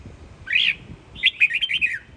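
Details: Sông Kon strain red-whiskered bulbul, a home-raised chào mào from Quảng Nam kept as a fighting bird, gives one swelling rise-and-fall whistle followed by five rapid, bubbly warbled notes in a clear phrase.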